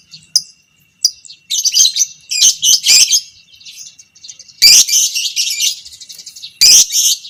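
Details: Violet parblue creamino fighter lovebird giving long 'ngekek panjang' chatter for training other lovebirds: a few sharp opening notes, then extended shrill rasping chatter in long bursts, roughly one burst every two seconds.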